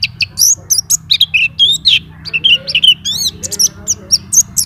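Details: White-eye in continuous song with fill-in phrases: a rapid run of sharp high chirps and short downslurred whistles, broken by brief gaps, with a few longer rising notes near the middle and low background hum.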